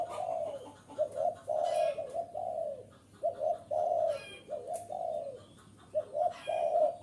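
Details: Lure recording of a spotted dove. It gives soft, throaty cooing phrases of paired and triple notes with brief pauses between them. Sharp twittering from other birds flickers in the background.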